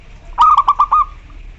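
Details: Single phrase from a local zebra dove calling a rival, used to coax other doves into singing: a quick, bubbling run of five cooed notes lasting under a second, the last note drawn out slightly.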